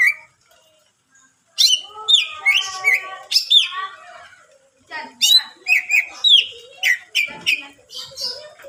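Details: Greater green leafbird delivering a long, richly varied song to challenge other leafbirds: after a brief silence, continuous chattering whistles, sweeping slurs and quick note bursts pour out for several seconds.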